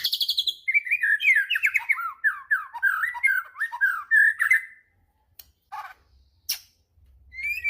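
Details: White-rumped shama singing hard to provoke rival shamas: a high opening note, then a quick chain of looping, slurred whistles for about four seconds, followed by near silence with a few clicks and a short high whistle.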